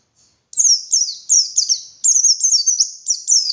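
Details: White-eye song for luring wild birds in the morning: after a brief quiet start, a steady series of high, sharp, sliding chirps and trills pours out without a break.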